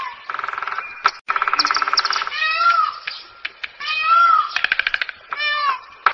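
Indian peafowl giving loud, nasal, cat-like wails that swoop upward, between bursts of rapid, stuttering honks.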